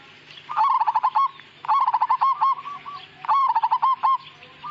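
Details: Zebra dove, Majapahit type, singing three longer rolling phrases in quick succession, each a stuttering run of pulsed coos ending in a few separate softer notes, against a faint steady hum.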